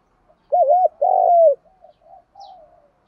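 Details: Spotted dove voice used to spur other doves into cooing and fighting, with male and female birds. Two quick wavering coos, a long strong coo, then softer trailing murmured notes fading out.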